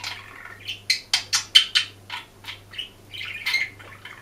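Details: Budgerigar singing, filmed by hidden camera: a run of sharp, clicky chirps and squawky notes repeated about twice a second, then chattering warble, over a steady low hum.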